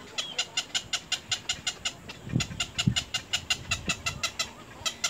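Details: Little egret chicks in the nest attacking their mother's bill: a steady string of rapid, rasping ticks with a thin whistled tone, plus a few low dull thumps midway.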